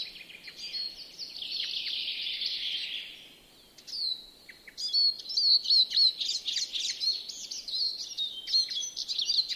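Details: Eurasian siskin in a garden yard in Joroinen, Finland: a long, buzzy, wheezing note, then fast, high twittering and chattering phrases with quick repeated notes. Little else is heard.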